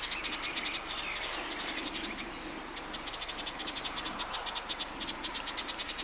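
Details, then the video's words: Western Orphean Warbler in a riverside grove (soto) on the Matarraña, June 2011, giving dry, rapid rattling calls, high ticking pulses about eight per second, in bursts with brief pauses over a quiet rural background. "Voces de Curruca mirlona"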